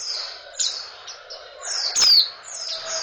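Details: Female oriental white-eye in breeding condition, calling to rouse males: thin, high, descending whistled notes with a sharper downslurred note near the end, in short bursts over faint background hiss.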